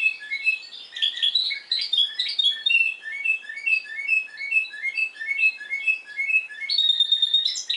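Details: Spanish timbrado canary from Madeira, Portugal, singing in the discontinuous style: clear, high whistled notes in short repeated syllable series, changing phrases every second or so, ending in a fast metallic trill.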